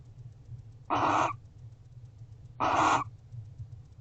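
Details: Barn owls guarding the house at an owl box, recorded at 5:41 am on 1 December 2023; two harsh, broadband hissing screeches, each about a third of a second long, spaced under two seconds apart over a low steady hum.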